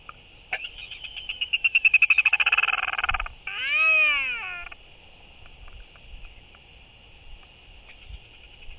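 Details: Royal albatross pair in courtship, one bird welcoming an incoming banded bird with skycalls and displays: a loud rapid series of clattering pulses speeding up, then a long drawn-out rising-and-falling wailing moan, over steady wind.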